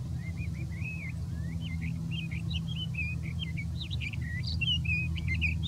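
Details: In dense big sagebrush habitat near Silver City, Montana, a sage thrasher pours out a rapid, unbroken jumble of warbled, slurred and trilled notes, phrases shifting constantly, with steady low background rumble.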